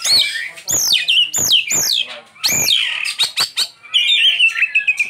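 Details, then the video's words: Oriental magpie-robin singing: loud, rich whistled phrases sweeping up and down, several repeated arching notes followed by sharp clicks and a warbled ending. "Ini Die Burung Kacer Isian nya Super mewah"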